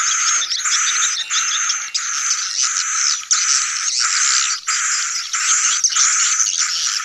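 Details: Swiftlet colony sound of the style called sedot anakan, meant for new swiftlet buildings: dense, continuous buzzy chattering in bursts with brief gaps roughly every half second to second, high thin whistled streaks above, no low sounds.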